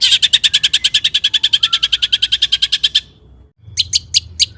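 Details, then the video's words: Long-tailed shrike singing hard in a rich mimicked song meant to spur other shrikes: a fast, even trill of sharp notes lasting about three seconds, a short pause, then a few loud harsh chips. "Kicau cendet gacor FULL MATERI MEWAH,, BUAT PANCINGAN CENDET AGAR BUNYI jadikan BURUNG PENTET GACOR"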